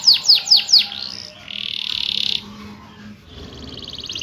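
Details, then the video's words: Canary song meant to lure lazy canaries into singing: four quick falling whistles, then a flat buzzy trill held for about a second, a pause, and a softer fine rattle at the end. "burung kenari Gacorr ngeroll cuit-cuit!!!!Cocok untuk pancingan kenari malas bunyi,,langsung nyaut!!"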